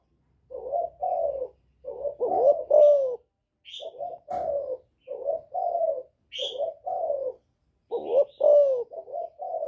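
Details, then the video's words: Spotted dove in "giọng thổ" style calling to provoke rivals: low rounded coos in repeated phrases, with short high chirps from another bird and a faint low hum at the start. "Cu Gáy Giọng Thổ GÁY GỌI kích bổi cực hay, cu gáy một hậu hạp bổi, cu đất gáy kích bổi, cu cườm gáy"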